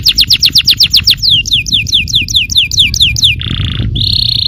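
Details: Yellow canary song meant to provoke other canaries into singing: a rapid trill of descending whistled notes, then a slower series of downslurred notes, a buzzy rattle and a high sustained roll.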